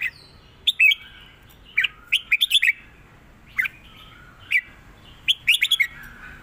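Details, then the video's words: Red-whiskered bulbul in a cage singing a clear southern Thai master song for training birds: clusters of fluty, slurred chirps and whistles, some phrases quick triplets, separated by brief silences. "ร้อง+ริก เพลงใต้แม่บทชัดๆ วนเพลงสวย(ไว้สอนนก)"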